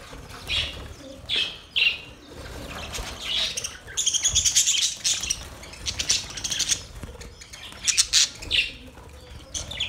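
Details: Budgerigars, the Australian parrot, giving their mating sound: bursts of high, scratchy warbling and sharp chirps come in clusters with short quiet gaps, several overlapping voices chattering at once.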